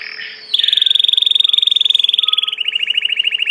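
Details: Domestic Belgian canary: a soft warble gives way to a long, even, rapid rolling trill that steps to a lower, slightly slower roll near the end.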